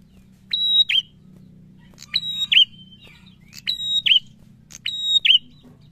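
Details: Singing prinia: four loud phrases, each a high level whistle followed by a curling downward note, spaced about 1.3 seconds apart above a steady low hum.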